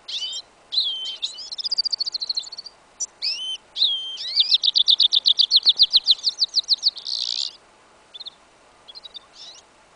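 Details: In a winter field in January 2015, a goldfinch-canary hybrid of yellow isabella colouring sings an incomplete song. Twittered notes build into a long, even trill of rapid chirps, then a harsh burst and scattered short notes.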